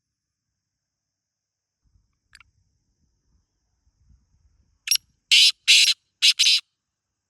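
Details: Near silence broken by a faint tick, then a quick run of sharp camera shutter clicks in the final seconds.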